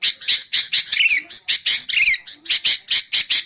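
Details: Sooty-headed bulbul used to lure wild bulbuls and to train songbirds, giving loud, rasping chatter notes with two bubbly falling warbles in between.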